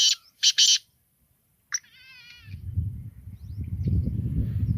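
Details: Short burst of three loud, scratchy, rasping notes from a black francolin (kala teetar), followed by a quick, wavering, whistled trill from another bird, then rising low rumbling noise.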